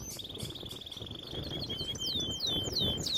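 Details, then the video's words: Canary song used for training canaries: a long fast trill near one pitch, then a run of high, clear, downward-swooping whistled notes repeated about three times a second, with faint low background noise. "Most powerful song for training Canary"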